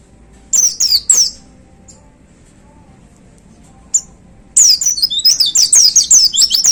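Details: Caged white-eye in a hanging cage giving its powerful shooting-style song: a couple of sharp high chirps, a long pause with one short note, then a fast, unbroken chatter of high twittering notes.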